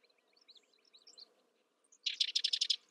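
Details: Sedge wren: soft scattered twittering notes, then a loud, rapid chatter of about seven harsh, buzzy pulses. A low hum lies underneath.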